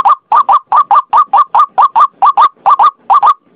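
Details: White-breasted waterhen lure call: rapid, harsh, nasal notes mostly paired in quick doublets, repeated steadily over a few seconds against a clean, quiet background.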